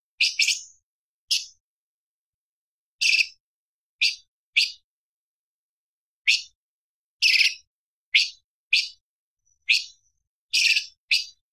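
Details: Light-vented bulbul (cucak cungkok) with a varied, sharp training song: scattered short, slurred, high chirps, sometimes paired, separated by irregular pauses.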